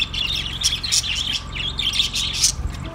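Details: Pet budgerigars chattering in a dense, continuous warble of buzzy chirps and squeaky notes with bright high bursts, over a steady low hum.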